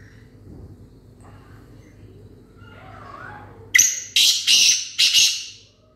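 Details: Black francolin gives a loud, harsh call near the end: four rapid rasping, grating notes packed into under two seconds, following a quiet stretch with faint background sounds and a low hum.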